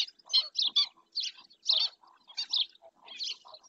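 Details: Short series of piercing, nasal yaps from a black-winged stilt at Doñana National Park, Spain, each note distinct, delivered in irregular pairs and singles.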